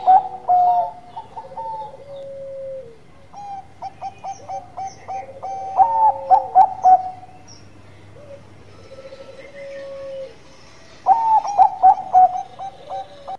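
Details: Zebra dove, Bangkok type, singing repeatedly: three phrases of rapid clipped coos, each tied to a long lower trailing coo that sinks at the end, with short pauses between phrases.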